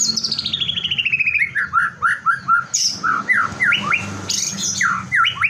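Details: White-rumped shama song to provoke other shamas: a long fast trill sliding steadily downward, followed by rhythmic upslurred whistles repeated roughly every half second, broken by two sharp harsh bursts.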